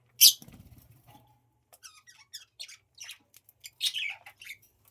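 Budgerigars chirp in quick, bright, scratchy bursts after a sharp knock at the start.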